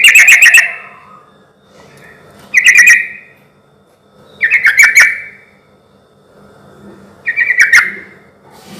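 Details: Sooty-headed bulbul, used as a lure to stir other bulbuls into answering, giving four rough, rattling chatter bursts spaced about two and a half seconds apart with near silence between.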